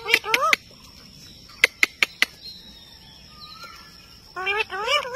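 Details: Pet Indian ringneck parakeet chattering at its mirror reflection, with short speech-like harmonic phrases at the start and end and a run of four crisp clicks in the quiet middle.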